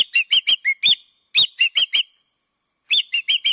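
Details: Common green magpie (Cissa chinensis) lure call: three quick bursts of five or six loud, sharp, slightly harsh whistled notes, each burst separated by a short pause; no other sounds.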